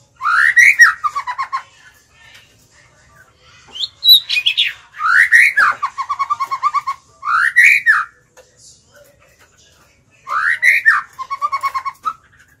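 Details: Pet white-rumped shama used as a decoy, singing to attract and provoke wild birds to fight: five bursts of rising whistled sweeps, most trailing into fast trilled runs, with short silences between.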